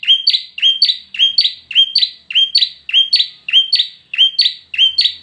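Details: Competition-grade bar-winged prinia repeating a two-part phrase about every half second: a clear high note followed by a brighter, slightly higher note, sounding about ten times in a steady, quiet setting.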